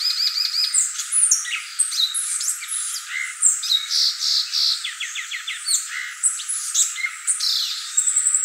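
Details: Violaceous euphonia singing a varied, hurried song of high sharp notes, brief whistled slurs and a few rapid dry trills, each phrase changing quickly to the next.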